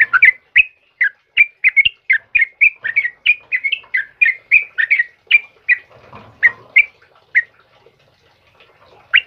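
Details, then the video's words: Lively morning song from a sooty-headed bulbul of the trucukan kebo kind: quick repeated whistled notes for six seconds, then a few spaced chirps with faint rustling and a final sharp note. "suara burung trucukan GACOR PAGI HARI"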